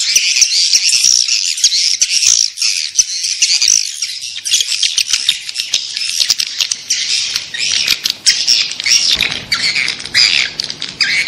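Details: Calls meant to draw swiftlets in: unbroken high, shrill twittering chatter from many overlapping notes, with a few sharp clicks toward the end.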